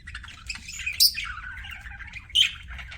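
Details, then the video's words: Pet budgies chatter in rapid warbled, buzzy notes, broken by two loud shrill squawks about a second and a half apart; steady low hum underneath. "CUTE PET BUDGIES"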